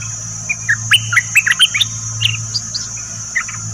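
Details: Song of the Dok Taeng bird, used for teaching young birds and getting birds excited: rapid scattered chirps and bright upslurred notes throughout, with a constant high-pitched tone and low hum underneath.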